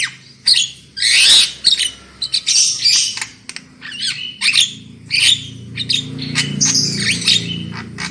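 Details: Lure recording of a black-winged myna for loud singing: a long harsh rasp, then a fast mix of chattering notes and bent whistles, with a steady low hum behind it.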